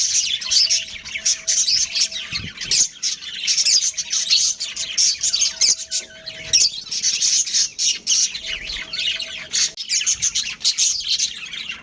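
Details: Breeding pair of pet budgerigars kept at home, chirping busily: dense, continuous high twittering and chattering with short squawky notes, nearly unbroken throughout, plus a faint steady low hum in the background.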